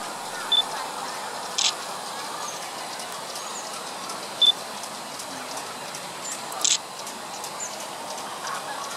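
Asian brown flycatcher giving a few thin, high, very short 'tsit' notes several seconds apart, with a couple of dry clicks over steady background hiss.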